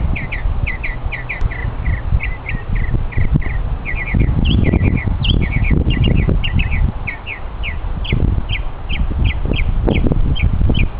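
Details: Mockingbird singing during a hike, showing off its vocal talents with long runs of short repeated chirps, paired notes and occasional higher whistles, steadily paced, with low rumbling noise underneath.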